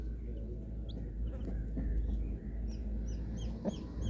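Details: Colourful baby chicks giving short, high, downward-slurred peeps, sparse at first and more frequent toward the end, over a steady low hum and rumbling background noise.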